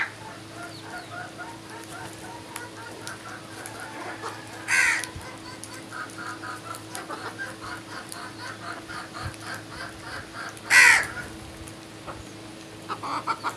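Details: Two rasping crow caws, about six seconds apart, stand out above a busy morning chorus of faint, steadily repeated chirps from other birds.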